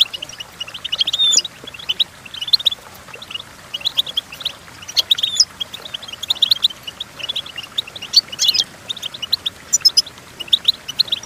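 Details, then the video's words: Goldfinch song used to teach goldfinches to sing: long stream of quick, thin chirps with periodic brighter trills every couple of seconds, above a soft background hiss. "Golden Tunes The Entrancing Song of Goldfinches Birds"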